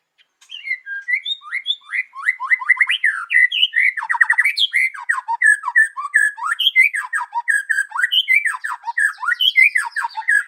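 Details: White-rumped shama morning song used as a lure for other birds: a rapid, continuous stream of varied whistles, trills and sharp chattering notes, loud and unbroken for ten seconds.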